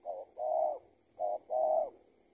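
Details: Spotted dove being trapped, a tethered bird escaped from someone else's trap; two soft coo phrases, each a short note and then a longer, slightly swelling one, close and clear.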